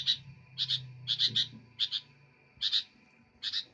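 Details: Sooty-headed bulbul giving clipped double chirps in short bursts with brief pauses between, set against a low droning background hum.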